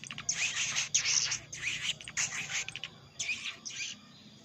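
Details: Crimson sunbird lure sound for pulling shy wild birds down to a trap, the bird calling a rival: buzzy, high chattering bursts roughly half a second long, repeated in quick succession with short gaps.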